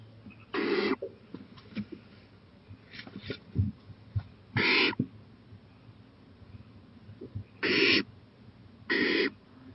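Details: Owl out on a porch at night, April 23, 2018, 11:26 pm, eyeing a playground; scattered rasping hisses, four main bursts at irregular spacing, among faint scratches and small knocks.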